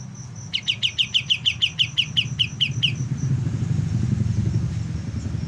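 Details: A juvenile white-eye learning to sing repeats about twelve sharp, high chirps at a quick even pace, then falls silent as a vehicle engine rumbles on.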